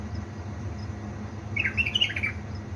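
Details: Single quick warbled phrase of slurred, tumbling notes from a pet bulbul from Baladruz, Diyala, singing at 3 am on 19 August 2020, against a steady low indoor hum.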